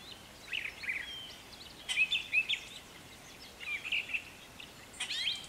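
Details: A Brown thrasher sings in a garden in spring, at planting time: a varied string of rich, warbled phrases, some given twice, in short bursts with brief pauses, over a soft outdoor hiss.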